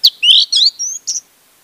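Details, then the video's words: Orange-headed thrush song used as a lure to get a silent bird singing: a quick run of high, sharp chirps and thin whistles, five bursts packed into just over one second, then silence. "pancingan anis merah untuk anis merah macet"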